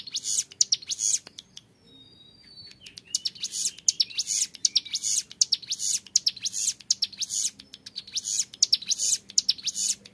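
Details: Young ciblek gunung (hill prinia) in 'ngebren' song: a brief thin whistle, a short pause, then high rasping buzzy bursts pulsing rapidly and evenly, loud and clear.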